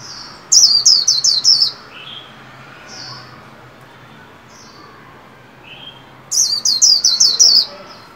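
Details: White-eye kept in a cage and trained for singing around the new year: two bursts of five or six rapid, sharply falling high whistles, separated by quieter scattered single chirps and a long pause.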